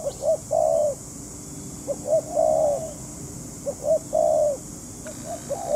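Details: Decoy spotted dove cooing during trapping. Three clear phrases, each made of one or two quick soft coos and a longer crooning note that dips at the end, are evenly spaced over a low hum.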